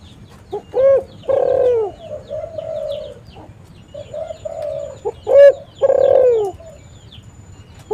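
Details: Spotted dove calling, used to lure other doves and set them calling: a pair of loud phrases, a brief note followed by a drawn-out falling coo, with quieter low coos in between and a light background hum.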